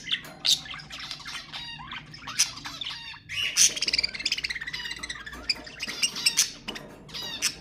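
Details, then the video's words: Budgerigar warbling, meant to encourage pet budgies to sing; continuous scratchy chatter with squeaky chirps and quick trilled runs, a steady low hum in the background. "تحفيز طيور البادجي أقوى صوت بادجي تسمعه"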